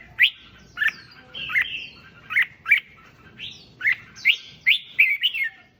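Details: Red-whiskered bulbul song played to make other bulbuls sing eagerly: sharp bright chirps repeated about every half second, with a few higher thin slurred whistles in between.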